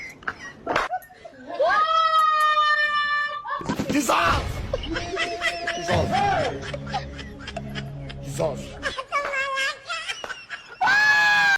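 An Indian ringneck parakeet talks in a high, nasal, word-like voice, with music and laughter around it.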